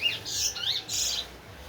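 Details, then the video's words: Short, harsh, buzzy bursts with rough sliding notes from a large-billed seed finch (towa towa), a Linden bird used as a teacher to train others. Two scratchy phrases are separated by a brief pause. "towa towa linden bird"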